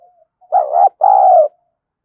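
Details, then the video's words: Lure spotted dove used to draw in wild doves: one clear, deep double coo, a short wavering note and a longer steady one, preceded by a faint soft murmur. "Chim Cu Mồi_cu gay kich boi nhanh noi gù"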